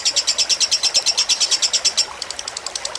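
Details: Lovebird fighter tutor recording played with trickling water to relax the bird: rapid string of high, sharp chirps, about three per second, for two seconds, then softer, quicker chirping notes over a faint continuous hiss.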